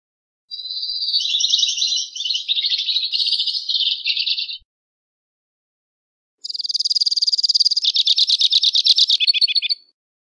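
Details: Two-barred crossbill singing two long rattling trills, each several seconds, the first wavering and dropping slightly, the second higher and faster, separated by a two-second pause; no other sounds.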